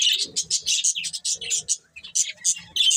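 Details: Budgerigar breeding pair chirping in quick, evenly spaced high notes, roughly three or four per second, harsh and buzzy, with a faint lower murmur under some notes.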